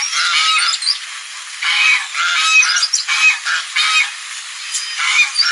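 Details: Geese calling loudly on a lagoon: harsh, nasal honks in bursts of about half a second to a second, several overlapping, with short gaps between outbursts and a steady hiss behind.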